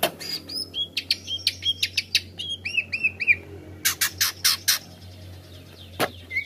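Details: Greater green leafbird song played to make other leafbirds agitated: a series of clear, looping whistled notes with arched slurs, followed by several harsh, broadband rasping bursts over a steady low hum.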